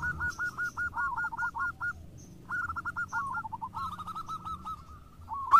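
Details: Local zebra doves answering each other: a crisp series of evenly spaced, clipped coos, a brief pause, then a further rolling phrase from another bird, ending in a loud burst.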